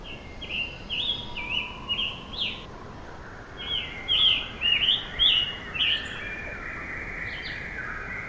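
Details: Scarlet tanager sitting in a tree delivers a string of rough, slurred burry phrases, pauses for about a second, then resumes with louder, buzzier notes before trailing off; light outdoor hiss behind.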